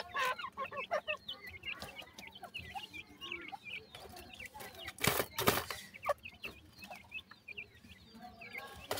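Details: Grey francolin of the Dakhni type, a female with five chicks, feeding; many thin chick peeps chatter constantly, interrupted by a few loud thumps and rustling.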